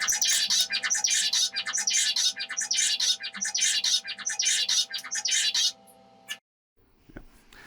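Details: A male zebra finch in a lab sings his repetitive courtship song on seeing a female revealed behind switchable glass: fast, buzzy, stuttering harsh nasal notes, the same motif repeated for about six seconds, then stops; faint room hum.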